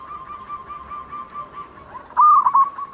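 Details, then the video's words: Local zebra dove, singing vigorously. A soft continuous trilling coo runs in the background, then a sudden loud, rapidly stuttered cooing phrase bursts out near the end. "perkutut lokal gacor_ suara mempunyai ciri has"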